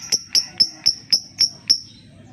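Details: Lovebird sound used as a lure to set quiet lovebirds singing: a steady series of seven sharp, high ticking clicks, evenly spaced about four per second, over faint low background hum.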